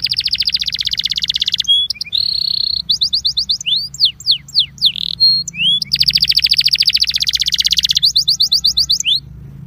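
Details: Belgian canary song, an 'incarte' for warming up canaries: long rapid trill, short buzzy phrase, paired whistled sweeps and rising slurs, then another lengthy rattling trill fading into quiet.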